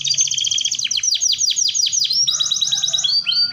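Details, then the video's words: Canary in full song, used as a model for young canaries learning to sing: fast high trills of repeated sweeping notes, then a switch to slower downward-swooping syllables and a shift to another rapid trill, with a soft low hum underneath. "Kenari Gacor Dor"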